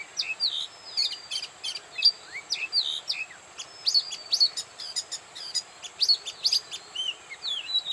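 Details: Singing Oriental magpie-robin at Bada, North 24 Parganas, India, delivering a lively, continuous stream of high whistles, downslurred notes and clicking chips, some phrases repeated, with a faint constant high background hum.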